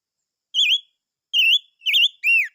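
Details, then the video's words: Four strong, clear whistles from chim ngũ sắc: wavering, level phrases ending in an arched, falling slur, spaced about half a second apart in a quiet setting. "Chim Ngũ Sắc Hót - tiếng chim ngũ sắc hót"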